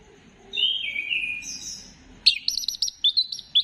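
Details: Orange-headed thrush (anis kembang) singing to stimulate other birds, recorded 15 December 2025. A long, smooth, falling whistle is followed by a rapid string of sharp, high, repeated chirping notes.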